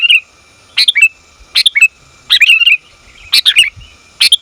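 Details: Sooty-headed bulbul, a female calling the male: five short bursts of tumbling, chattering notes, each a quick cluster with a falling tail, spaced under a second apart.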